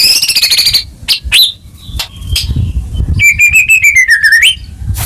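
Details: White-rumped shama song for coaxing a stressed or moulting caged bird back into song. It has a high sustained trill, scattered sharp clicks and chips, then a long warbling whistle that wavers and drops before rising at the end.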